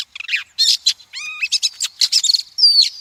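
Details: Female Oriental magpie-robin calling, a lure used to stimulate and train males and for trapping: a rapid, varied run of sharp chirps, buzzy squeaks and short whistled slurs, with a few steady tones and a high thin whistle at the end.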